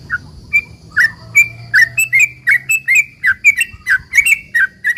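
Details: Sooty-headed bulbul in a long, lively song used to provoke other bulbuls into replying: short bubbly whistled notes around mid pitch, repeated quickly about twice per second, each note with a sharp rising or falling inflection.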